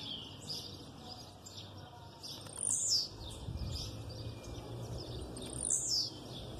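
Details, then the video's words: Aggressive blue-black grassquit song backed by female calls: two high, thin, buzzy notes falling in pitch, about three seconds apart, amid soft high chips and low background rumble. "Tiziu canto agressivo com piado de fêmea no fundo"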